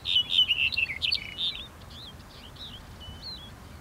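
A black-headed bunting sings a quick, jangling phrase of bright, varied chirps lasting about a second and a half. Softer, thinner notes follow over a quiet background.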